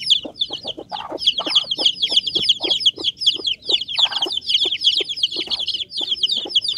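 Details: Chicks of the Bangkok fighting-chicken breed cheep in dense overlapping series of shrill downslurred peeps, with scattered tapping and scuffling noises underneath.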